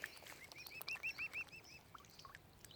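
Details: A rapid series of about eight clear, high, arched peeps from tiny mute swan cygnets at Lough Neagh, Oxford Island Nature Reserve, Ireland, fading to scattered softer notes.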